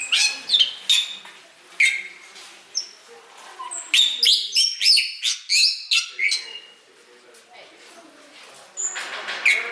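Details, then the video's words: A Bali myna (Bali starling) sings an irregular run of harsh chattering bursts mixed with a few clear, high whistles, several notes each second with brief pauses. "Balistar Vogelgesang White Bird singing"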